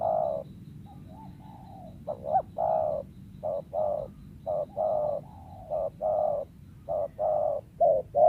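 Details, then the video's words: Coos of a wild spotted dove kept for luring birds, sometimes stuttering and giving short kuk one-two phrases: a long run of low, hollow, evenly pitched coo notes in short and longer beats, with quiet pauses between groups. "TEKUKUR LIAR SUARA IDAMAN PEMIKAT"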